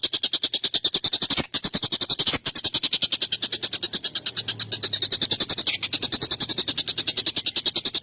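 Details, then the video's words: Agitated collared kingfisher, recorded for tutoring songbirds, gives a relentless series of rasping, high, clipped notes at about three and a half per second. The series is broken briefly twice. "SUARA TENGKEK BUTO GACOR EMOSI UNTUK MASTERAN PANJANG TAJAM KASAR"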